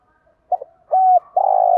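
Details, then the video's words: Spotted dove cooing used to lure wild doves: faint quiet notes build into a stuttered double note, then a clean level coo and a long, louder, pulsing coo running to the end. "Tiếng Cu Gáy Giọng Hạp BổI ĐỦ BÀI ( GÁY GỌI,THÚC,GÙ ) Kích Bổi Nhanh Nổi"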